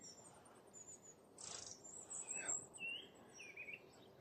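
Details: Long-tailed tit (Aegithalos caudatus) flock by a sand pit lake at East Tilbury, 13 November: thin, very high see-see notes and a brief buzzy burst, faint and scattered, with a few lower whistled notes from another bird.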